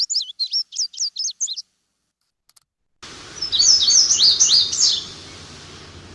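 An Indigo Bunting gives a short, high song of about five or six quick, sharp notes, then a second brief bright phrase over a soft background hiss.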